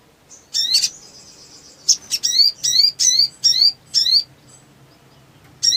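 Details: Fired-up black sunbird singing. A short high note leads into a thin, sustained trill. Then come about six sharp, downslurred squeaky chips in quick succession, with a pause before a final chip.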